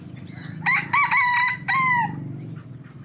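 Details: Hybrid Indian junglefowl youngster crowing at dawn: a clear, staccato crow of three or four tonal syllables, with the last note drawn out and falling. The crow lasts about one and a half seconds over low background hum.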